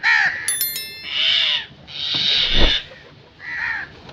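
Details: Loud, rasping crow caws, three or four long harsh calls about a second apart, with a brief tinkling ring near the start.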